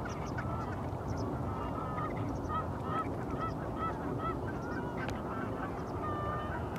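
A flock of Brant geese gives short, throaty honks in quick overlapping bursts over a steady roar of wind or surf.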